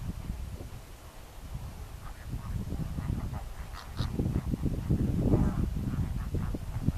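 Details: A greater flamingo flock producing low, rapid, overlapping honks and grunts. The clamour swells after the midpoint, with a few higher nasal notes standing out.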